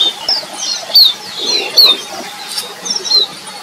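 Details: Feeding red avadavat giving brief, thin, high-pitched squeaks, several in under four seconds and spaced unevenly, against a constant hissing background with soft rustling.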